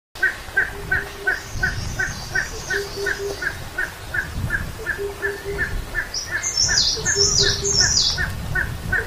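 A steady run of short, clipped mid-pitched notes, about three a second, with low hooting bursts underneath; higher twittering from other birds joins near the end.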